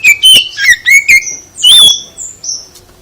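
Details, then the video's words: Oriental magpie-robin (kacer) singing to provoke a response: a rapid string of loud, rasping, harmonic notes, then one long strident note and fading high whistles. "Gak Mungkin Gak NYAUT ketika KACER ditempel dengan KICAU ini"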